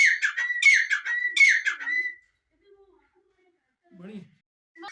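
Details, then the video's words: Three quick harsh scratchy francolin phrases in about two seconds, each a loud grating burst, followed by near silence with faint low murmurs and a brief rasping note at the end. "IRANI TEETAR ki awaaz/teetar voice/teetar ki awaz/dakni teetar ki awaz/Madi teetar voice"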